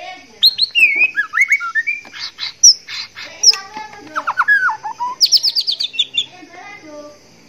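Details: Courting a female, a breeding-condition male white-rumped shama delivers varied phrases: clear whistles, descending slurred notes, a rapid rising trill of repeated notes and scattered clicks, over a faint continuous high hum.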